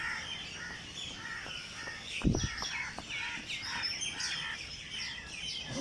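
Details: Several birds chirp together at dawn in Jilani Park, Lahore: short, high tweets and sharp notes running throughout, with one brief low thump near the middle.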